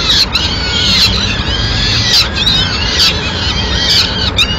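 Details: Peregrine falcon mother bringing food to her chicks in Madrid, 29 April 2016: repeated harsh, high, downward-arching cries about once a second, separated by brief sharp clicks, over low rumble.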